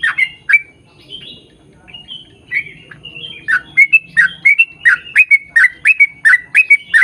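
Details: Lure song of a yellow-vented bulbul in long 'ropel' style: a couple of gurgles, quiet scattered whistles, then a dense, regular burst of bubbly rising-and-falling notes building toward the end.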